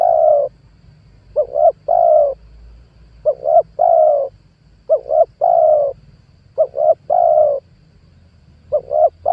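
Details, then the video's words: Spotted dove used as a lure bird for trapping wild doves, giving low, mellow cooing phrases: two short coos followed by a longer drawn-out croon, repeated about every one and a half seconds, with a quiet low hum behind and no other birds. "PANGGILAN TUKUKUR PIKAT 2022 COCOK BUAT PANCINGAN TEKUKUR LIAR"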